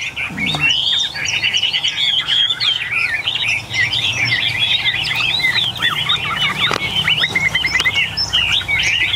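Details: Captive Chinese hwamei among a group of eight tame birds pours out a long, dense stream of bright whistles and quick warbled phrases, several birds singing at once over a faint low rumble.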